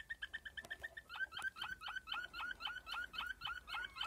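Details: Waterslager (Malinois) canary singing: a short run of clipped notes, then a steady series of bubbling, water-like warbles repeated about four times a second, clear against a quiet background.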